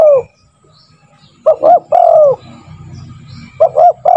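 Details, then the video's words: Spotted dove used as a lure to train other doves to call quickly: a long falling coo ends, then after a pause two short clipped notes lead into a drawn-out descending coo. Faint low rumble underneath. "Pancingan burung tekukur gacor, melatih burung tekukur agar cepat bunyi"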